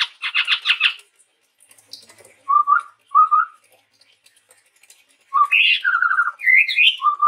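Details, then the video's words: Chestnut-rumped babbler, a male Sumatran forest bird in full, chatty song: a burst of rapid buzzy stacked notes, then short rising whistles repeated, ending in slurred higher phrases. "suara burung tepus tunggir merah gacor"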